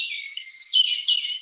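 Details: A European robin in Cambridge, England, gives a high, thin warbling phrase of quick sweet notes that rise and fall, with no background sounds.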